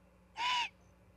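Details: Osprey at a nest in Charlo, Montana, caught by a nest camera on September 9, 2021: one loud, slightly arched, harsh-edged call lasting about a third of a second over a faint steady hum.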